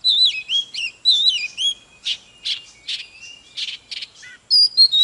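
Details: Magpie-robin singing and dancing in fired-up 'kích lửa' style: looping sweet whistles at first, then harsher buzzy chirps, ending with high clear whistled notes.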